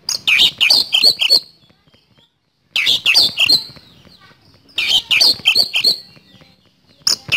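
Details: An Oriental magpie-robin (kacer) in vigorous 'nembak speed roll' song: three bursts of fast, harsh, chattering notes, each about one and a half seconds long and spaced roughly two seconds apart.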